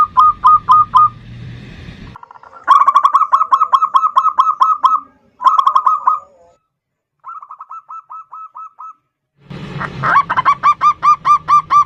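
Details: Zebra dove, local type, singing the 'ndudut' variation as a rival-provoking lure: several bursts of rapid hooked notes, one phrase quieter as if farther off, separated by abrupt silences.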